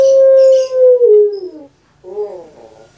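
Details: Domestic puter pelung dove from Java gives a long steady coo that slowly falls away, a short silence, then a rolling gurgled note begins, its kuk-gerukkk-kwokkk rhythm partly heard.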